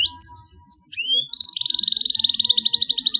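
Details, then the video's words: Young canary beginning long rolls while learning to sing: a few separate rising whistles, then an unbroken rapid trill that continues steadily to the end. "KENARI PAUD BELAJAR BUNYI SUARA MULAI NGEROLL PANJANG"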